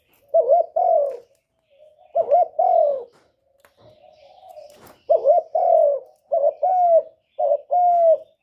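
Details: Decoy spotted dove cooing to draw wild doves toward a trap: five phrases, each a short double note and a longer smooth coo, with quiet low murmurs between them and a soft knock midway.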